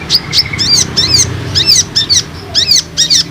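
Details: Olive-backed sunbird lure call, played to draw newly caught and group-kept sunbirds into responding and singing: sharp, very high chirps with swooping downward strokes, given in quick bursts of two or three notes about once a second.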